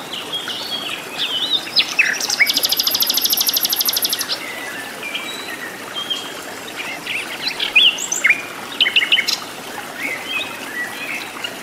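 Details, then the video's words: Wild flycatcher singing in its natural habitat: scattered high, sharp chirps and short whistled notes, with a loud buzzing trill high above them for about two seconds near the start and quieter chirps later. "KICAU BURUNG SIKATAN LONDO GACOR DI ALAM LIAR"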